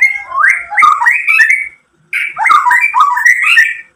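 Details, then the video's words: White-rumped shama in full varied song, played to trigger other shamas: two dense bursts of rich warbled, rapidly changing whistles and chatter separated by a short silence. "SUARA MURAI BATU memancing EMOSI jadi BUNYI NYAUT GACOR BONGKAR ISIAN | PANCINGAN MURAI"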